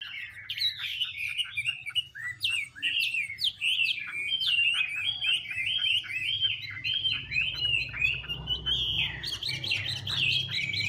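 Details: Chinese hwamei, with a female fanning her feathers and dancing to stir up the male: a fast, continuous run of loud whistled notes sliding up and down, growing denser and brighter near the end, over a faint low hum.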